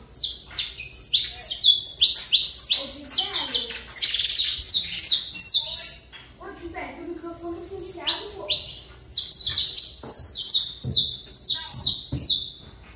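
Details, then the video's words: Saffron finch singing in the trator style: fast runs of high, sharp, down-slurred notes repeated several times a second, a brief lower, softer passage midway, then the rapid ringing series resumes. "Canário da Terra Trator"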